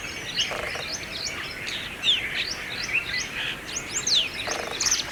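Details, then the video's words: Brahminy starling (myna) singing in Aurangabad, India: varied string of sharp chirps, quick rising and falling whistles and a couple of harsh rasping bursts, mixed with ongoing chatter and light outdoor noise. "Unique Hair Style singing bird in India Asian country - Brahminy starling (Myna)"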